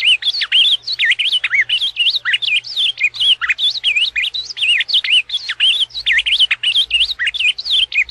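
An Ultramarine grosbeak sings a fast, unbroken run of sweet, high warbled notes that swoop up and down without pause, with only a faint low hum behind.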